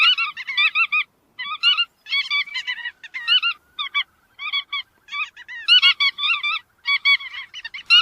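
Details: Bursts of nasal, buzzy honking notes from chắt đuôi vằn, grouped in quick clusters with short silences between them.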